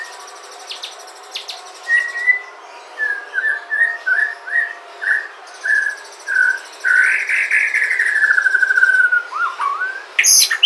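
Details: White-rumped shama from Sumatra, its natural song used as a lure to prompt other shamas to sing: a series of short clear whistled notes repeated about every half second, then a long bright descending whistle and a final upward flourish.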